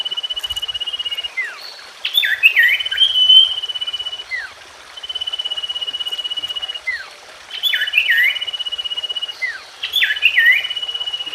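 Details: Common iora singing, used to stir a silent or newly kept bird back into song. Sustained high pulsed trills, each a second or more, give way to looping downward whistles and chatter, the pattern recurring about four times; a faint insect-like hiss persists.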